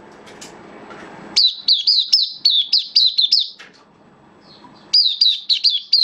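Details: Caged oriental white-eye kept as a hobby bird, singing on 11 September 2022 in slightly dipped form: rapid bursts of high, sharply down-slurred chirps run into phrases of about eight notes, after a low indoor hum.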